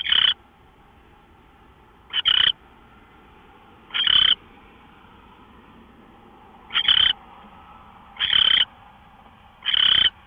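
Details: On 24 March 2013 at 5:27 AM an owl gives six rough, hissing bursts across ten seconds, some doubled, spaced one to three seconds apart over a low steady hum.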